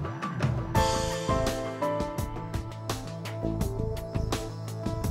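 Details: Instrumental music with drums and percussion plays throughout, with no animal voices heard.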